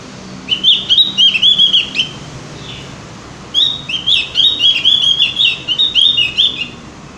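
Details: Javan grey-throated white-eye delivering two rapid, bubbling phrases of high chirps about four per second, separated by a short gap. Used as a lure recording so birds sing diligently.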